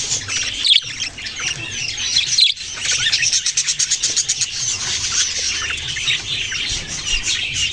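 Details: Budgerigar chirping: warbling high chatter with rapid ticking notes in the middle and a couple of soft knocks early on.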